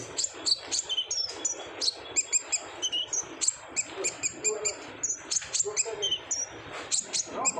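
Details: Rapid, bright, high chirping of an olive-backed sunbird singing energetically in 'ngobra' fashion, used to coax other sunbirds to sing; short notes follow one another several times a second without pause.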